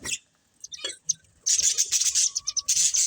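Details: Pet budgerigar breeding pair: a few sparse clicks and chirps, then a sudden burst of dense, high, buzzy chattering that runs to the end.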